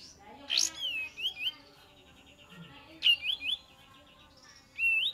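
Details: Kapas tembak song played as a lure: a few clear whistled notes sliding up and down, in short bursts roughly every two to three seconds over faint background hiss.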